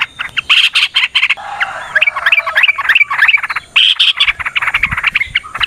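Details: Yellow-vented bulbul in a long fighting song used to draw other birds into singing: continuous dense chatter of quick liquid notes, short twisting whistles and buzzy trills, loud and nearly unbroken.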